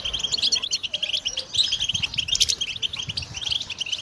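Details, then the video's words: Goldfinch song for training other songbirds: fast, bright twitters and tinkling chirps tumbling out in a continuous, jangling run over a soft low background hum. "Song Goldfinch Training"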